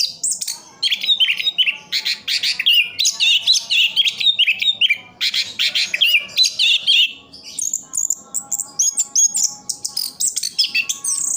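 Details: Orange-headed thrush, a caged songbird kept in Sidoarjo, East Java, sings a rich, varied stream of whistled and chattering phrases, fast and continuous, with sharp high notes and slurred warbles throughout.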